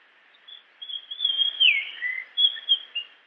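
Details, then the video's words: Japanese grosbeak singing in natural habitat: a phrase of clear, high whistled notes with one loud downslurred note in the middle, then a lower whistle and a few short fluty notes. "Grosbeak japonês Som de pássaro, música de ave, chamado do passaro melodia"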